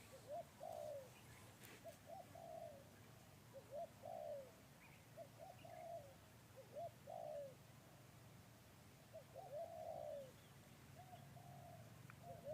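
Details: A Spotted Dove (Spilopelia chinensis), a newly trained decoy bird on its first day out, gives soft, low cooing phrases repeated every couple of seconds.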